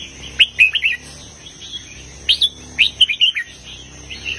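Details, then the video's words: Southern 'mae bot tai' style song of a red-whiskered bulbul, heavy phrasing: a rollicking three-note warble, a gap, then several lively chirped notes in quick succession. "นกกรงหัวจุกร้องริกเพลงแม่บทใต้ ลำหนักๆ"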